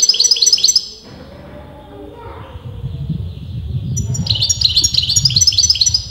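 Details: Continuously singing European goldfinch whose sex puzzles top breeders: quick tinkling twitter phrases open, give way to about three seconds of low background rumble, then a fresh run of fast, liquid, chattering trills.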